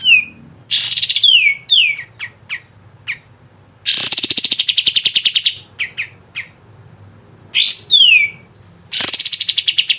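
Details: Sooty-headed bulbul song played to coax lazy-singing birds into song. Sharp falling whistles and clipped chirps alternate with long, rapid, buzzy chattering bursts, repeated several times over ten seconds.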